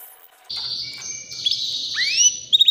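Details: White canary about three years old giving a short sustained buzzy trill with a rising slurred whistle at the end, quieter than its full song.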